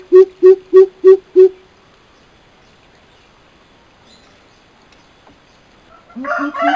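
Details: A male and female coucal pair calls. Five deep, hollow hoots come in quick even succession, followed by several seconds of near silence, then a lower, rougher burst of calling mixed with noise at the end.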